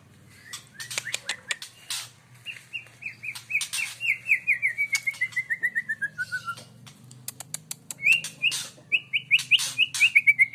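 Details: White-rumped shama from Aceh singing clear whistled notes, including a long run of repeated notes that slide steadily downward, then rising whistled phrases, over frequent sharp clicking and tapping noises.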